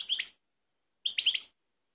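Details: Two short twittering phrases from a Balkanika goldfinch, Kumanovo, Macedonia, 16 March 2018, each a quick rising whistle followed by bright chirps, about a second apart.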